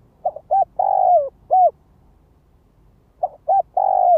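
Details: Spotted dove used as a ground lure, calling to draw wild doves: two complete phrases about three seconds apart, each of soft short notes, a long hollow coo gliding downward, and a clipped closing note.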